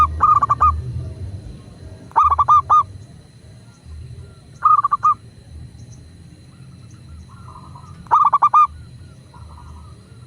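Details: Local zebra dove used as a prompt recording for doves: four brief stuttering coo phrases of several quick notes each, irregularly spaced, with softer fainter coos between them and low background rumble.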